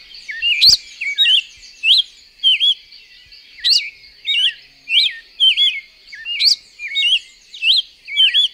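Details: Cherrie's tanager, common in a yard in Puerto Armuelles, Panama, gives short, sharp, slurred high chips, about one or two a second in an uneven run, over a steady high hiss.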